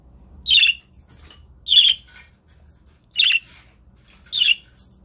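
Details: Father budgie guarding his eggs repeats a scratchy, buzzy squawk four times, about one every 1.3 seconds. Low room hum sits in the background.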